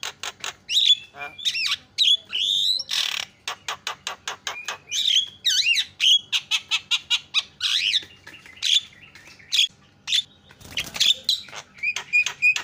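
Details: Javan myna (jalak kebo) singing long and loud: whistled swoops, squeaks and wavering notes interleaved with rapid trains of dry clicking rasps, ending in repeated short whistles.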